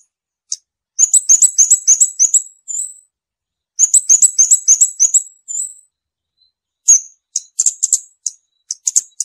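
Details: Scarlet-backed flowerpecker singing very high, thin ticking notes in rapid bursts of about ten, two bursts each ending in a drawn-out note, then scattered sharp chips; no other sounds.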